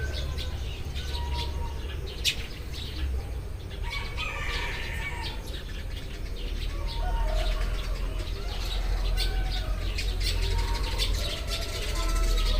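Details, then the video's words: Morning chorus of Eurasian tree sparrows: many quick, high chirps overlapping in a busy, uneven patter for several seconds, set against a heavy, steady low-pitched rumble that swells toward the end. "burung-burung gereja berkicau saat pagi tiba"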